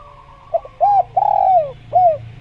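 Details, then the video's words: Spotted dove (tekukur) calling as a training recording meant to prompt other tekukur to call: a soft stuttered note, an arched coo, a long drawn-out coo that slides downward, then a final arched coo, all low and mellow. "Masteran Tekukur Biar Cepat Bunyi | Natural Jungle Dove Sound Effect"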